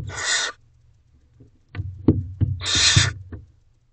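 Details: Nest box of barn owl owlets at 10:56 pm in May 2023, one feeding on a mouse: two harsh hissing screeches separated by thumps and rustles of the young moving about.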